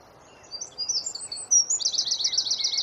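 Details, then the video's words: High-pitched wren song in rapid 'tembakan' style for training songbirds: thin slurred whistles, then a fast, evenly spaced trill of repeated notes, with faint low hiss behind. "Masteran Burung Suara Tembakan Wren Bird Suara Bren Tembakan Rapat Burung Kecil"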